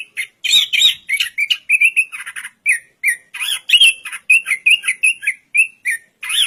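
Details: Anis kembang, or orange-headed thrush, delivering a rapid medley of warbled whistles and harsh chattering notes at mid-high pitch, short bursts following each other almost without break.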